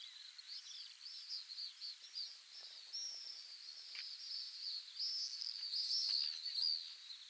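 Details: Shrill, wavering trills from wild Pacific swifts at a Mongolian breeding colony, rising and falling in loudness and growing stronger toward the end, over soft ambient noise.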